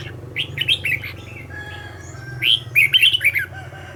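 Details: Red-whiskered bulbul decoy in singing practice: a few chirpy notes, a short pause, then a quick loud warbled flourish of rising and falling whistles, with a constant low hum behind.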